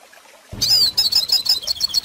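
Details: Goldfinch song, recorded for teaching young birds to sing: after half a second of quiet, a fast, high, twittering run of bright chirps and trills begins and carries on without pause.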